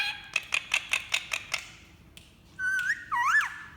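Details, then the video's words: Green Indian ringneck parrot making different sounds: a rapid series of seven short squawky notes, then two loud whistled slurs rising and dipping, indoors. "Green ringneck parrot making different sounds|Indian parrot talking"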